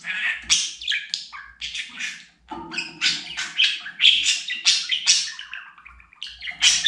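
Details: Pet talking budgerigar chattering in rapid, scratchy bursts, mixing buzzy warbles with short bright chirps and a few thin whistled notes, almost without pause, in a quiet indoor setting.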